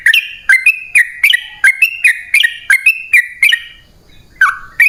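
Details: Sooty-headed bulbul rapid song used to lure wild birds: a fast string of slurred whistle notes, then a pause and a single note at the end.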